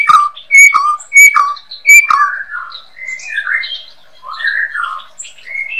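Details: White-rumped shama song kept as a master recording for tutoring caged songbirds: three loud, sharp whistled notes about 0.6 seconds apart open it, then a rapid run of varied warbling phrases rising and falling, over a clean, quiet background.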